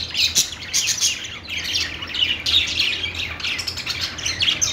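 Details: Parakeet chirping: lively, repeated bursts of bright squeaks and scratchy warbling, several notes per second, with a low background hum.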